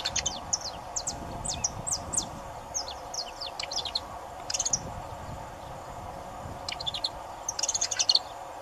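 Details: Saffron finch in steady song, giving a run of thin, high, sharply clipped chirps at irregular short intervals, broken by denser rapid clusters of notes, over low constant background noise.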